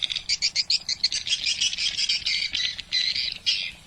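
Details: Swiftlet lure recording, an original sound imported from Malaysia and played inside a swiftlet house: rapid, dense bursts of harsh high chirps and squawks, closely packed with short gaps, continuing throughout.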